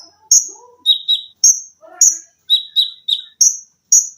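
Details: Tutoring recording for cage birds of an olive-backed sunbird (konin) in tembakan rapat, mesin jahit, lengkingan and besetan styles: sharp high chirps alternating between two pitches, with faint lower whistled notes at the start.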